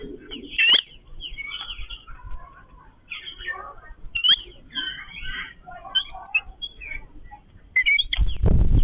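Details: A family group of Yellow-billed babblers feeding together chatters in a loose group, giving squeaky, harsh notes that rise and fall, with a burst of wing flutter at the end.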